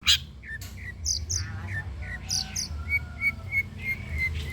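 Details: Long-tailed shrike song, used as a training recording to prompt reluctant birds to sing. Short high chirps and slurred notes, then a run of clear whistled notes repeated about every third of a second, over a low background hum.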